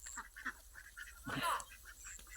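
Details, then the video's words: Talking myna in India imitating human speech, calling "alok dada" in a few quick, nasal, word-like syllables that end in a louder, harsher burst, against a faint background hiss. "Talking Myna.... and he was calling "alok dada""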